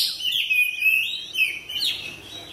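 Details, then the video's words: Kacer, the Oriental magpie-robin, spreading its tail while singing: softer, somewhat distant wavering whistles and rough warbled notes, slurred together over a light background hiss. "TERAPI KACER CEPAT RESPON GACOR BUKA EKOR"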